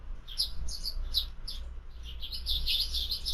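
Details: Sparrows at a feeder, filmed on a bird camera at afternoon snack time: four spaced single chirps at first, then a fast overlapping run of chirps from several birds, over low background hum.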